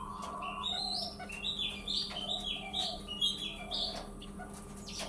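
Male king quail giving quick runs of high, thin chirping notes, several per second, over a steady low electrical hum.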